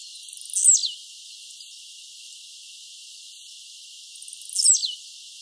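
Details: Wild blue-black grassquit repeating its song: a brief, sharp buzzy note dropping from very high to lower pitch, given twice about four seconds apart over quiet background hiss.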